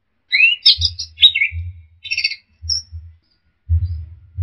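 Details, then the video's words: Punglor (ground thrush) singing in a bird-training recording. A rising whistle leads into dense, high chattering clusters and a brief thin note, with a steady low rumble underneath. "Masteran Punglor Teler Gacor Full Isian Kombinasi Tembakan"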